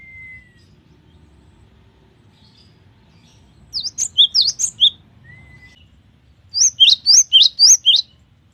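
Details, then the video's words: Cinereous tit in full, varied song: a thin whistle, then two rapid bursts of five or six piercing, high chirped notes in quick succession, clear against a quiet background. "GELATIK BATU GACOR || the melodious sound of stone sparrows"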